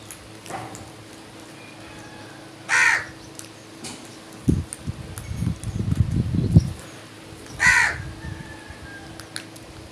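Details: A crow in the morning gives two harsh, hoarse caws about five seconds apart, with low rumbling wind or handling noise between them.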